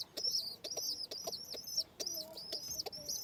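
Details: Home pigeon chicks in a feeding session utter insistent high squeals with a wavering tone, in quick clusters separated by short gaps.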